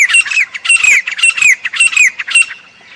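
A grey francolin gives loud, harsh, squeaky phrases with a shrill whistled slur, repeated about twice a second before trailing off.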